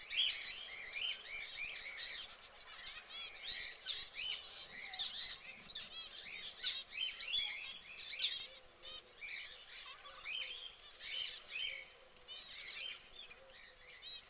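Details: An orange canary in a cage keeps up a dense stream of high, rapid twittering and buzzy trills for several seconds, easing off later while soft lower chirps from another bird continue.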